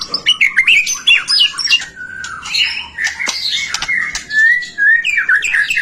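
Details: White-rumped shama singing, used to spur other shamas to sing: harsh scratchy notes mixed with whistled slurs and sustained clear whistles, varied and loud.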